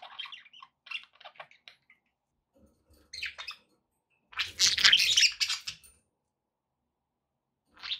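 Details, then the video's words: Pet budgerigars chirping: short bright scratchy chirps in quick bursts, then a loud dense chattering warble for about a second and a half, separated by brief silences. "budgie sounds for pet parakeets to make tham happy"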